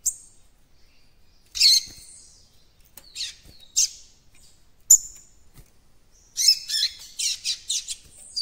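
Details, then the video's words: Captive juvenile White-throated Seedeater attempting its developing encarte song: isolated high chirps and buzzy notes separated by pauses, ending with a fast sequence of rhythmic chirps. "COLEIRO BAIANO FILHOTÃO QUERENDO ABRIR CANTO DO ENCARTE"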